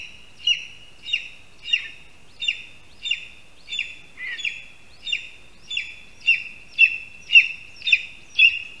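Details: Male lesser spotted eagle at a nest in a spruce in Latvia, 8:16 AM, 13 August 2021, bringing a mouse and calling for his mate: about fourteen high, thin yelping notes, one every two-thirds of a second, steady in pitch, quiet background.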